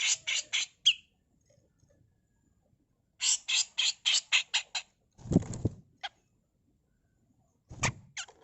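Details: Tutor recording of a female grey-cheeked bulbul's harsh mbeset kasar song: short raspy bursts with a whistled tail, then a longer run of eight rough bursts, broken by dull knocks and thuds.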